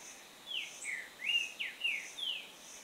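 Green-winged saltator singing a quick run of about six loud, slurred whistles, some rising and some falling, over a steady high hiss of insects.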